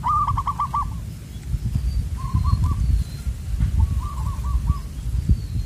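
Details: Perkutut (zebra dove) singing in the loud, far-carrying Koong style during an outdoor luring session; three trilled cooing phrases of quick, evenly spaced notes, the first loudest, with low background rumble.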